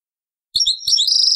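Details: European goldfinch singing the taqsraine song style, taken from an old cassette tape: after a silent start, quick tinkling high twitters lead into a sustained, rippling trill.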